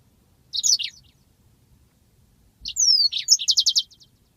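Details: Yellow-fronted canary master recording for training birds, with two short bursts of high sweeping whistled notes and quick chirps, the second ending in a rapid run of repeated buzzy notes, with quiet pauses between.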